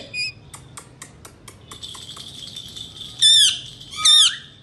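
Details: Male Indian ringneck parakeet, kept as a talking pet: a few soft clicks and ticks, then two loud, harsh, wavering screeches about a second apart near the end.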